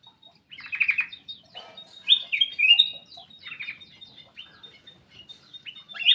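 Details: Black-capped bulbul kept in an aviary, singing busily: short bursts of bright chirping and warbled notes in quick clusters, some slurred downward, repeated every second or so, over a thin steady high whine and faint low rumble.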